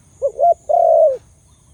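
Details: Khmer dove with a big voice giving a short hooked note, a brief rising note, then one long, deep, steady coo that fades slightly at the end, against a quiet background.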